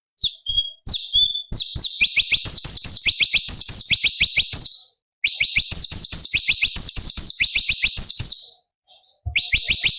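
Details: Cucak cungkok, a bulbul, singing in a recording used to train other songbirds, high-octave variation material: rapid bursts of sharp chirps sliding down from high whistles, repeated about three times a second, with two short pauses.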